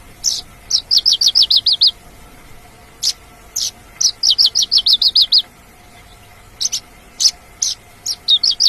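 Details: Lively wild Mongolian lark song of rapid trills, each a string of about eight sharp, high chirps, alternating with single clipped notes and short gaps; a faint constant hum underneath.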